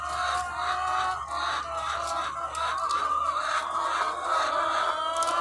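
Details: Loud chorus of thousands of egg-laying chickens on a farm, countless clucks and drawn-out cackles merging into a steady roar, backed by a low constant hum.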